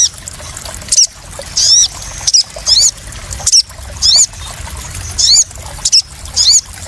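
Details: Crested jay calls used as a lure and therapy recording for newly caught caged birds, helping them settle without stress: high, thin squeaky chirps with quick upward inflections, given in short bursts about every second over a steady hiss.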